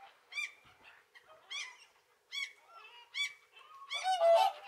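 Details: Whooper swans feeding on a winter lake in Kuusamo, Finland, give loud trumpeting honks about once a second, with softer overlapping calls from other flock members between them.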